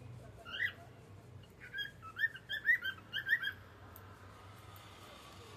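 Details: Evening song of a cockatiel: a rapid run of bright, repeated whistled chirps about twice a second, bunched into a lively phrase after an opening note, over faint low hum.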